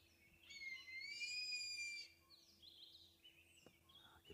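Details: On safari at sunrise on 23 August, an African Harrier-Hawk hidden in a tree gives one drawn-out, high, plaintive sueee whistle of about a second and a half, followed by faint chirps of other birds and low hum.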